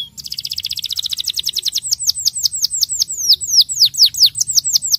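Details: Rolling song of a starblue canary meant to stir young canaries into singing, with a quick rattling trill that gradually spreads into bright downward-swooping whistles repeated about four per second; soft low hum underneath.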